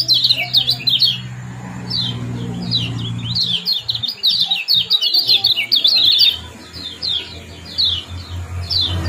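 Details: Common Iora 'ciak' and 'jos' chirps played to bring birds into breeding condition. Clusters of high, scratchy chirps come in uneven bursts, with a low rumbling background underneath.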